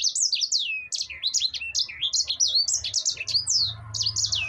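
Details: Sanger finch singing in gacor ngerol style, a long rolling song used to tutor and prompt other birds: fast chains of high, sweeping whistled notes, each sliding down then flicking up, delivered almost without pause, with faint low hum beneath.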